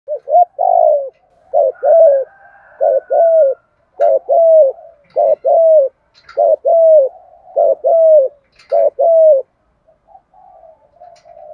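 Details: Spotted doves, male and female, used as caged decoys whose cooing lures wild doves in Vietnam: rhythmic low hollow coos in short paired bursts about once a second, a faint high whistle early on, then softer trailing coos.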